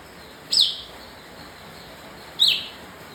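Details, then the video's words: Bar-winged prinia singing: two short, sharp, high chirped notes with a quick upward flick, spaced about two seconds apart, over a steady faint background hiss. "Kapas tembak emosi"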